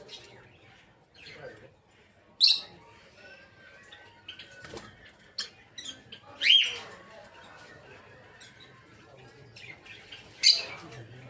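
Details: Aviary-kept rosy-faced lovebirds, held for breeding, give sparse sharp chirps roughly every four seconds between quiet rustling and brief wing flutters.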